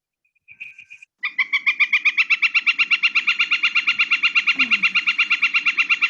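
A Northern Flicker gives a long, steady series of loud wick notes, evenly spaced at nearly one pitch, after a brief opening note; a faint low rumble underneath.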